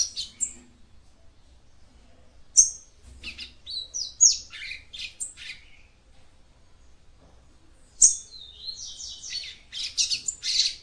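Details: Capped seedeater female singing to stimulate her male: quick irregular chirps, squeaks and high whistled slurs in bursts, ending in a dense scratchy chatter.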